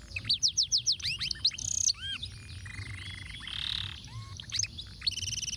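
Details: Canary singing a ruwet master song to tutor other birds: a fast run of downward whistled slurs, arched chirps, a flat rolling trill and a warble, ending in a buzzy pulsed trill.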